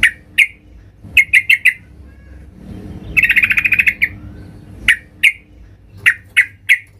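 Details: Yellow-vented bulbul female calling to a male, recording meant to lure males into singing; clear short chirps in small clusters, broken by a fast rattling trill in the middle, against a faint background hum.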